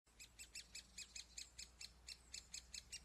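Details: Great spotted woodpecker young at the nest hole while adults feed them: a rapid, even series of short, high, chipping notes, about five a second, with faint low background rumble.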